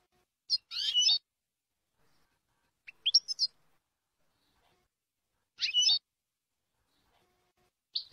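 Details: European goldfinch, Jordanian song style from a tutor tape: short, scattered bursts of high twittering notes, each under a second, separated by pauses of one to two seconds, fairly quiet, with nothing else heard.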